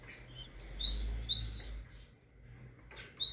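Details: High, piercing whistled pairs from a tit, a higher note followed by a lower one and repeated three times in quick succession. After a short pause, the phrase starts again, over a steady low rumble.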